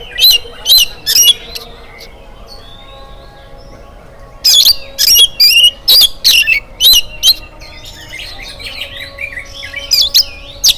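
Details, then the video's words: Oriental magpie-robin in full morning song, meant to make other birds join in. Rapid loud bursts of harsh, chattering notes come in clusters, broken by quieter pauses and ending in a run of warbled whistles. "SUARA KACER GACOR DI PAGI HARI"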